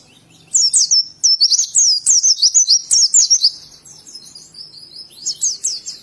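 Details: Oriental white-eye from Indonesia singing in wild forest style; high twittering whistles delivered in quick bursts of about three per second, a pause, then a brief fresh burst near the end.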